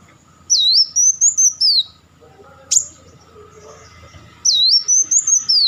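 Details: Kolibri wulung, a purple-throated sunbird, sings two bursts of thin, high, wavering whistles that dip and rise. A single sharp chip falls between them. Some faint low hum sits in the background.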